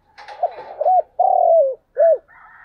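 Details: Spotted dove lure call played in the morning to attract wild doves close to home: soft broken cooing notes, then a long, low, slurred coo falling at its end and a shorter arched coo, with a faint higher whistle from another bird after.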